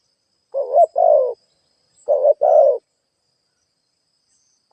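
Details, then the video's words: Spotted dove serving as a ground lure bird gives two husky two-part coos, a short rising note then a longer flat, breathy one, separated by quiet; a faint steady high tone behind. "Tiếng chim cu gáy kích boi"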